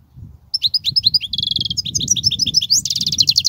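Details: European goldfinch singing, used to teach young goldfinches: continuous high, rapid twittering with liquid trills and short buzzy notes throughout, over a soft low rumble.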